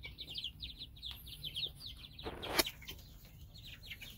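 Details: Domestic chicks from three groups hatched weeks apart peep continuously, many high, short, descending notes overlapping, with a loud rustle or knock partway through over a low background hum.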